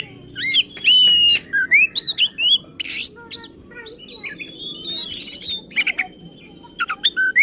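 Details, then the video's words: Excited oriental magpie-robin song, meant to stir other magpie-robins into singing: a varied stream of clear whistles, upslurs, downslurs and squeaky notes, broken by harsh scratchy bursts, delivered almost without pause over several seconds. "Burung Kacer Gacor Ngotot dan Emosi Suara Menggila Bongkar Isian"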